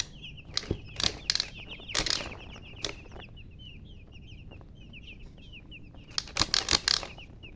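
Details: Chicks chirping: a steady stream of rapid, high, short peeps, often falling in pitch, broken by several loud thumps and knocks near the start and end.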